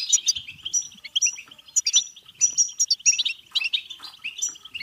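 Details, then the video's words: European goldfinch in full song, used to encourage singing and mating: fast, jumbled twittering with about two bright chirps a second standing out above a continuous buzzy, liquid warble. "بتبتة حسون فعالة و رهيبة لتحفيز الحسون على التغريد و التزاوج و الهيجان"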